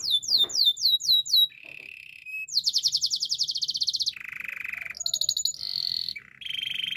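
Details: Canary singing a training song: rapid descending whistled sweeps repeated in a fast series, then a steady mid-pitched trill, a long buzzy high rattle, and several shorter trills and tones in quick alternation.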